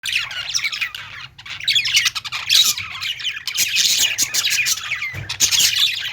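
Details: Budgerigars in a pet store: a dense, continuous chorus of many birds warbling, chirping and squawking together, with scratchy, fast notes running without real pauses and a low steady hum underneath.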